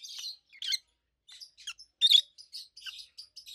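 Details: Adult roseicollis lovebirds, two kept as pets, giving a run of short high chirps and squeaky tweets with gaps, one louder harsh burst in the middle.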